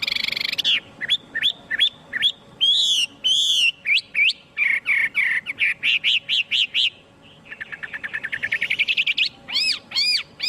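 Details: Chinese hwamei singing with no background noise: a loud, varied run of clear whistled phrases, sharp upward sweeps and rapid repeated notes, changing pattern every second or two, with fast trills building near the end.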